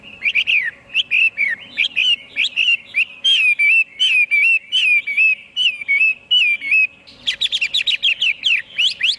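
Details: Chinese hwamei song of rich, varied whistles, rising and falling in quick succession, growing into a denser, more complex flurry of notes toward the end.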